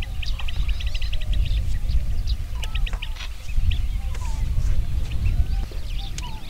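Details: Two blue-cheeked bee-eaters (Merops persicus) give short, rolling chirps in quick bursts, with a few faint lower whistles, over a heavy low rumble of wind or traffic.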